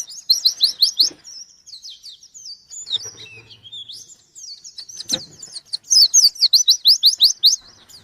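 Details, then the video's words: White-eye singing to challenge a rival, rapid high chirps followed by a long, softer jumbled warble and a closing run of loud, evenly spaced falling notes. "Burung pleci gacor nyari lawan"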